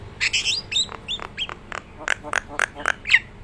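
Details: Nias hill myna in gacoran singing form: rapid harsh, harmonic squawks and short whistled notes, some upslurred, following one another about every quarter second and ending in a brighter whistle.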